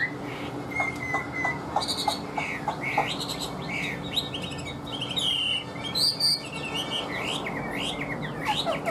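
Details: Captive Chinese hwamei with clicking notes and short whistles early on, then loud varied warbling phrases and high sweeping whistles.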